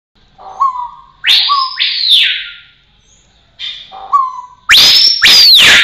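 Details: Rose-collared piha singing loud, ringing whistled notes: short slurred notes near the low range, then powerful broad upswept and downslurred whistles in two pairs, separated by brief pauses.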